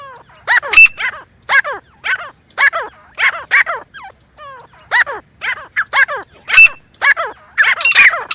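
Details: Partridge (teetar) calls played as a hunting lure: harsh, nasal, downward-sliding notes in short bursts roughly every second across the recording, with a thin steady high tone showing now and then.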